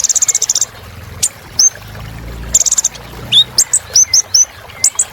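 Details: Sunbird song used as a rich filler song to excite other birds: rapid buzzy high chip trills, then short separate high whistled notes sliding downward, with faint low rumble underneath.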